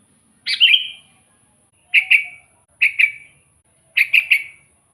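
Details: Sooty-headed bulbul song used to call in wild bulbuls: a bubbly opening phrase followed by three shorter bursts of quick chattering notes, the last a rapid triple, over a quiet background.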